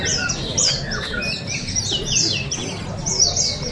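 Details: Competing oriental white-eyes at a 2023 bird singing contest in Balingian, Sarawak: dense, rapid high twittering of sharp downswept and looping notes from several birds, with soft background chatter.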